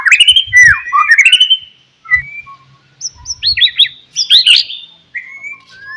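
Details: White-rumped shama in morning song to prompt other shamas: a rich opening of quick slurred whistles, then spaced, softer high whistled phrases and short notes, with faint low knocks.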